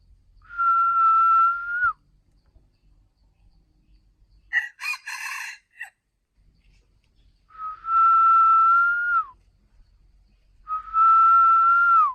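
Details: Chicken crowing, tagged as bantam and decoy fowl: three long, clear, whistled notes, each about one and a half seconds, level then dropping at the end, with a short harsh buzzy burst between the first two; quiet background.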